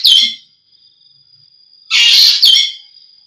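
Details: Green magpie giving a short rasping note, then after a pause a loud harsh double burst with a brief whistled edge, over a constant thin high-pitched tone.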